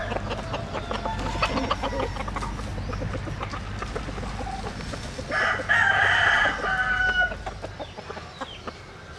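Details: Japanese-Cuban cross bantam rooster: scattered clucks and clicks, then a loud, sustained, harsh crow of nearly two seconds, over a low rumbling background.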